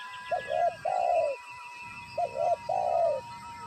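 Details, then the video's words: Wild spotted dove cooing during bird trapping with a decoy: two phrases, each of short clipped notes leading into a long, drawn, falling coo. A steady tone and faint higher whistles sit in the background. "pikat tekukur penguku"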